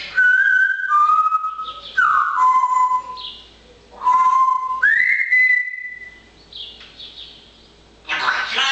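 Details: A parrot, busy and chattering away in the fine weather, whistles a string of clear tones that step downward, pauses, then rises into a long held whistle, ending in a harsh squawk.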